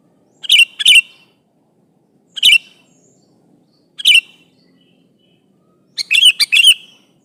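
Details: Sooty-headed bulbul, a vocal kutilang calling an opponent: short, sharp, bright chirps, single or paired, spaced a second or more apart, ending in a quick cluster of four or five notes; otherwise quiet background.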